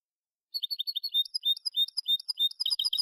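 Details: Málaga-style European goldfinch song for training young goldfinches: after a pause, repeated high chirps give way to longer whistled notes mixed with lower slurred sounds, then a rapid twittering close.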